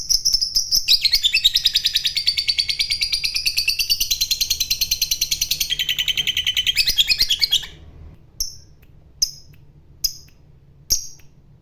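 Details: Fighter lovebird in long ngekek: a fast, continuous rattling trill of high, buzzy notes lasting about seven seconds, slightly falling in pitch toward the end. It breaks off into a few isolated short chirps with quiet gaps.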